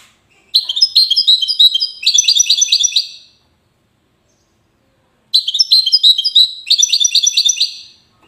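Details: Two long Widani-style songs from a European goldfinch in Safi, Morocco, each a tinkling twitter followed by a run of quickly repeated, chiming notes, with a pause of about two seconds between them.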